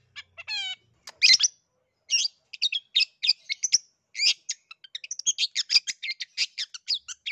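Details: Varied long-tailed shrike song to stir a reluctant bird into singing: a brief ringing harmonic whistle, harsh grating bursts, then a dense, fast medley of sharp chirps, trills and scratchy notes.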